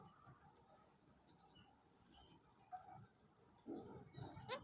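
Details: Hand-reared, tame red-crowned parakeet (kakariki) just starting to talk, saying words like 'coucou pookie', 'beau kiwi', 'peekaboo' plus gibberish: speech-like bursts with thin, hissy high notes, and a woman's soft praise.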